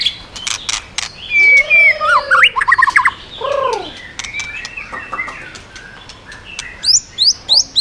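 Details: White-rumped shama in 'yến reo' song to provoke other birds, switching voices and flicking its tail: sharp clicks, arched low whistles, quick trill bursts and a closing series of rapid high rising notes.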